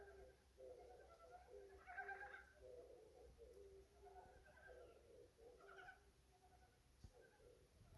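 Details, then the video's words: Unusual bird voice with warbling, hoarse low notes in uneven bursts, a brighter squeaky flourish near the start, and a single sharp click later, over a faint steady hum. "진짜 이상한 새소리"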